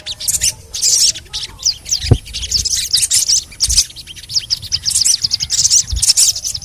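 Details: Crimson sunbird, called sogon, in audio meant to make any sogon sing: rapid high chirping and fast ticking trills throughout, with a few low thumps in the background.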